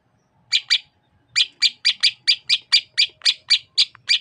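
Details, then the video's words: Greater green leafbird of the Sukamade variety from Banyuwangi, East Java, giving a fast series of sharp, harsh chips. The chips come about four per second after a brief opening pair, with faint low background rumble. "Suara Khas Cucak Ijo Sukamade ( Merubetiri )"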